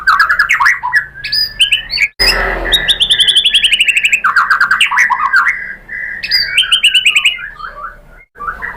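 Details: White-rumped shama lure song meant to set other shamas singing: a rich, varied stream of whistles, trills and rattling phrases that shift pitch, broken by two brief pauses with a short burst of noise.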